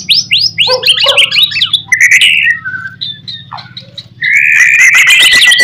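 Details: White-rumped shama singing a master song to draw replies from other shamas: rapid descending whistled notes, a brief pause with soft phrases, then a loud sustained trilling warble.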